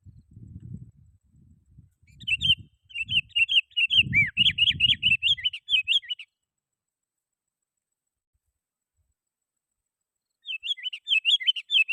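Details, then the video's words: A lively sooty-headed bulbul calling out to rivals, as a lure for wild bulbuls: fast chattering bursts of sweet, twisting notes, a pause of several seconds, then another burst; low thumping knocks at the start. "Suara Burung KUTILANG GACOR"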